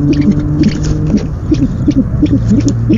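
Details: Owl recorded at night on 17 February 2015 during the first food delivery of the night to the nest; quick run of short, low, soft notes in an uneven rhythm, with a constant background hum.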